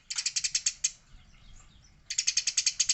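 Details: Eurasian tree sparrow, described as a female and as fighting: two bursts of rapid, harsh, high chirps about four per second, separated by a second of near-silence with faint background hiss.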